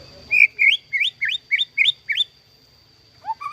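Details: Captive-bred white-rumped shama singing a series of seven loud, rising whistled notes at a steady quick pace, then two lower upslurred whistles after a pause; a faint steady high hum runs throughout.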